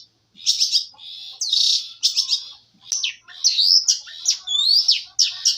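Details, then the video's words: Canary singing as training material: a mixed, rapid sequence of buzzy notes, sharp chips and looping whistled slurs run closely together. "CENDRT MATERI BURUNG KENARI"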